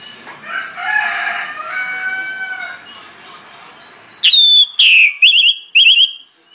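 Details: Orange-headed thrush lure song meant to set other birds singing: after a few seconds of faint mixed bird chatter, a loud burst of four clear whistled phrases near the end, sliding and warbling with bright overtones.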